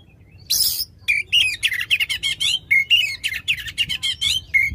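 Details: Oriental magpie-robin, a caged bird singing loudly, used to stimulate a magpie-robin that has stopped singing: a harsh buzzy burst, then a rapid run of varied chirps and sharp whistled notes with rising and falling slurs, delivered without pause.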